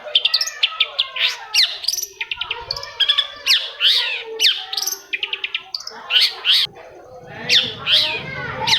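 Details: Long-tailed shrike song played to prompt other shrikes to sing: loud, rich, rapid medley of harsh chatters, rising and falling whistles and mimicked phrases, nearly continuous.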